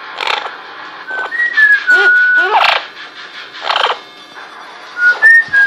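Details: Female pet parrot whistling indoors in a Quebec, Canada home, one of her first whistling sessions: short pure whistled phrases that step down in pitch, broken by noisy bursts and brief human voices.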